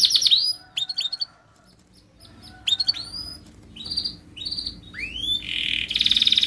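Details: Canary phrases used to train young canaries, with pauses: short high chirps and upslurred whistles in scattered bursts, ending in a buzzy rolled trill.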